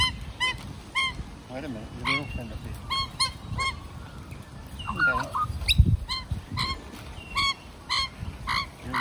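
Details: Magpies from a large multi-family group gathered around an old man who befriended them; short, clear, nasal calls repeated about once a second, with softer warbles between and a thump near the middle.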